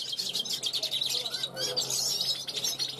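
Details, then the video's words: European goldfinch youngster from 2021 calling from a balcony toward passing wild goldfinches, giving rapid, liquid, high-pitched twitters and buzzy chirps in a nonstop tumbling run, with a short pause midway. "Jilguero mayor pichón del 2021 repasando"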